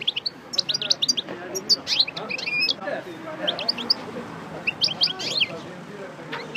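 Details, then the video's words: Goldfinch of the Parva form, a coupleur fresh from moult, rehearsing song: scattered high chirps and short twittered phrases over a hissy, noisy background with faint low sounds. "Chardonneret Parva Coupleur Sortie De Mue Repasse Le Chant"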